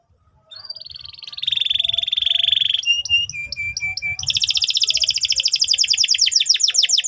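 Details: Chattering canary song meant to coach young canaries. A rising whistle and rolled buzzy phrase, metallic doubled notes, then a long, very fast trill of steep sweeps to the end.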